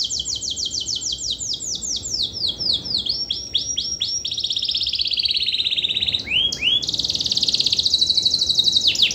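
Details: Canary, used as a lure to provoke lazy canaries into singing; long, varied song of rapid high trills, a run of descending sweeps, then buzzy rolling phrases and sharp upward whistles, with no other sounds.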